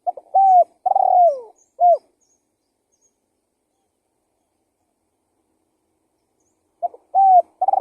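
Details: Spotted dove lure call given as phrases of level, rolling and clipped coos. After one phrase there is about five seconds of silence before the next begins. The recording is otherwise quiet.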